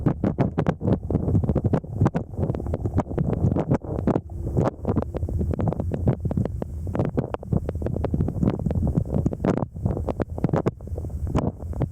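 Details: Strong wind buffets the microphone in loud, rumbling gusts throughout, with no animal sound heard.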